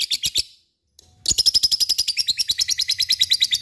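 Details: Lovebird in gacor ngekek style, meant to spur quiet lovebirds into singing: a few sharp chattering notes, a brief pause, then a long, fast run of high, harsh ticking notes at about seven per second.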